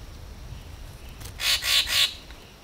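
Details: Racket-tailed treepie at Turtle Pool, a man-made forest pool in Huai Khayeng Nature Park, Kanchanaburi, Thailand, giving three harsh, rasping squawks in quick succession, each about a quarter second long; this raucous call signals a treepie on its way.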